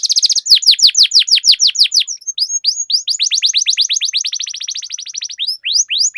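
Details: Canary song in the long-rolling style, used to coax other canaries into singing: loud, continuous volleys of rapid high notes sweeping downward, the pace shifting between quicker and slower repetitions.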